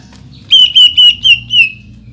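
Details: Greater green leafbird rapid shot, sung to provoke other leafbirds: five quick, level, ringing whistles packed into just over a second, with a faint low hum beneath.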